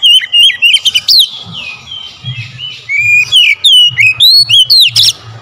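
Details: Oriental magpie-robin (kacer) lure recording to provoke singing: rapid, loud whistled phrases with down-slurred and up-slurred notes, a soft warbled middle section, then another bright run, over a faint low hum.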